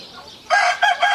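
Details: Giant Brahma rooster on a chicken farm crowing: after a quiet start, a loud, harsh, harmonic crow breaks in halfway through, split into three strong bursts with short dips between them.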